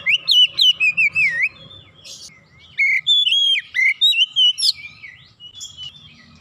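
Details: White-rumped shama that had stopped singing, now singing eagerly after a single lure: bright, varied whistled phrases leaping and sliding, fast repeated notes in two bursts, low background rumble.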